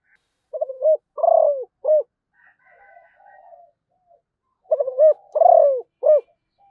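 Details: Zebra dove, Malaysian type, giving two song phrases. Each phrase has quick stuttering notes, a longer falling coo and a short final coo, with soft murmured notes between. The background is quiet.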